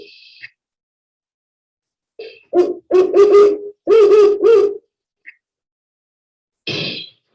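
Great horned owl giving a run of about five deep, muffled hoots in a rhythmic hoo-hoo-hooo-hoo-hoo pattern, with brief noise at the start and end.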